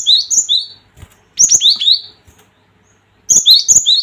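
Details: Gelatik batu, the cinereous tit, giving a provoking call: three bursts of bright whistled notes, each pairing a high sustained whistle with a lower downslurred one, separated by short pauses.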